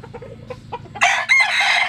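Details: Japanese-Cuban bantam rooster crows as it sunbathes, a few soft clucks leading into a loud, harsh, rasping crow in two long bursts.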